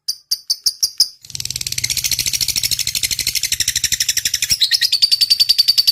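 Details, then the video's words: Lovebird in full song for a masteran recording, long 'ngetik' style: a few separate sharp high chirps, then a dense rapid stream of buzzy chips that settles into a steadier, thinner run, over a low background hum. "suara burung lovebird gacor.. ngetik panjang.. lb sekampung langsung rame"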